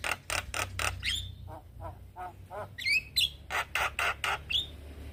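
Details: A male Javan myna calling its young companions. It opens with rapid harsh rasps and a whistled slide, then softer grating notes, and closes with high twisting whistles among a steady run of loud harsh bursts.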